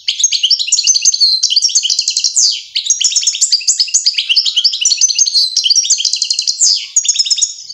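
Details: European goldfinch song while fledgling goldfinches learn to feed: a fast, continuous tinkling twitter of bright high notes and buzzy trills, broken by downward-sweeping wheezy notes, with faint clicks beneath.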